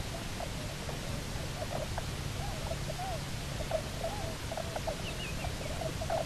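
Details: A Bermuda petrel pair, back at their nesting island of Nonsuch Island, Bermuda, on 29 October 2018, gives wavering, warbling mid-pitched calls in repeated short phrases over a steady low rumble of wind or surf.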